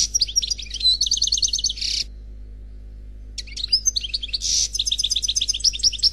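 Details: Khalwi-style song of an unpaired European goldfinch from a CD recording: two long bursts of rapid, rhythmic twittering with rolling trills and harsh buzzy notes, separated by about two seconds of silence, with no other sounds.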